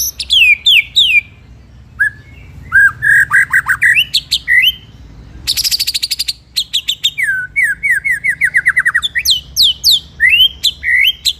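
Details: White-rumped shama singing a rolling, shooting master song used to tutor other birds: varied slurred whistles and swooping notes, a brief harsh buzzy burst midway, then quick clicking runs and rising sweeps, loud and close.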